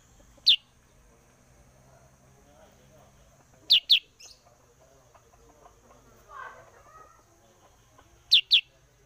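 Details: Sooty-headed bulbul, a lure bird for attracting others, calling with single and paired sharp, high, falling chirps spaced a few seconds apart, plus a faint softer sound in the middle.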